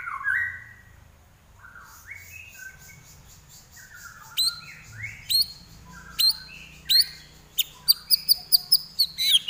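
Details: Common iora singing energetically: scattered short rising and falling whistled notes, then a fast run of sharp, high, upswept chirps repeated about twice a second toward the end.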